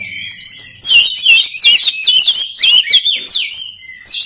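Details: Oriental magpie-robin song for training other birds: after a faint low hum, a dense stream of sweet slurred whistles and quick rising and falling notes, unbroken to the end.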